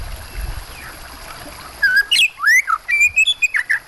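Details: White-rumped shama with water sounds behind it: after a quiet watery stretch, a rapid phrase of loud whistles, upward sweeps and short chirps begins and runs to the end.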